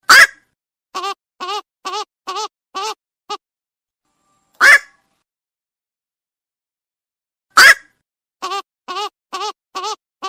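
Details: Night heron calling: loud harsh squawks spaced several seconds apart, each followed by a quick run of five or six shorter nasal, buzzy notes. The background is otherwise silent.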